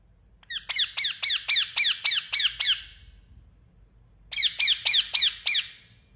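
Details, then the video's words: Indian ringneck parakeet, a pet bird, giving loud harsh screeching squawks in two fast series, about eight evenly spaced calls each, separated by a short pause, over faint low hum. "Beautiful Indian Parrot Making Sound | Natural Parrot Voice"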